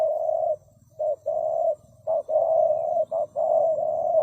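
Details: Spotted dove giving loud low coos, a short note followed by a longer drawn-out one, repeated in quick pairs with brief pauses between.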